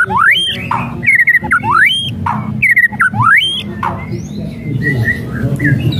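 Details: White-rumped shama song for provoking a lazy bird: loud rising whistled sweeps repeated about once a second, alternating with short flat notes, fading into softer whistles over low background noise.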